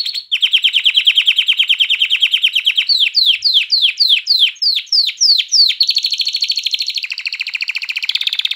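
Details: Canary song meant to stimulate females to mate and chicks to sing, with a long buzzing trill, a series of slurred notes about twice a second, then quicker high trills.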